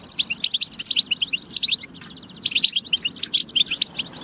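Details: Energetic tabtaba song from a European goldfinch, meant to spur goldfinches to sing: fast, ringing twitters and sharp chirps in two dense bursts split by a short lull near the midpoint.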